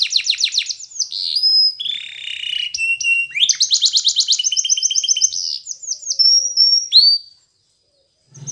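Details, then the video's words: Spanish Timbrado canary, yellow, performing a training song: a quick run of falling whistles, buzzy notes, a dense rolling trill and long sliding high whistles, ending in a brief silence. "Canary's Most Powerful Song For Training !! Yellow Canary singing"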